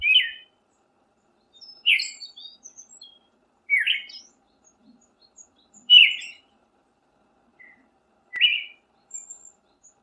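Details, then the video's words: Siberian thrush delivering a series of brief fluty, slurred phrases roughly every two seconds, some trailed by soft high twitters; no other sounds stand out. "Burung punglor syberia"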